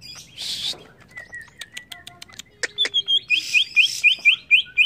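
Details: Greater green leafbird in agitated song: scattered sharp clicks and a couple of hissy bursts, then a fast run of bright, slurred notes repeated about four times a second.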